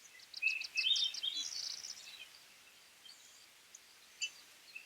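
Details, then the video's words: Belted Kingfisher giving a half-hearted chatter, heard from a kayak: a short, dry, high rattle of rapid clicking notes lasting under two seconds, then a few faint scattered chips against quiet background. "Kingfisher half hearted chatter"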